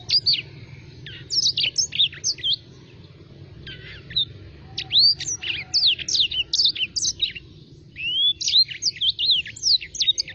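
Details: Black-throated sparrow sings a lively, varied run of sharp chirps, quick up- and down-slurred whistles and short trills, delivered in dense bursts with brief pauses. A low hum runs underneath.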